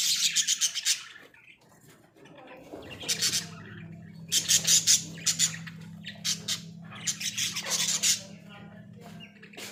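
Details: Australian budgerigars kept in a small cage, giving bursts of harsh, buzzy squawks and chirps in clusters with short pauses, over a steady low hum in the background.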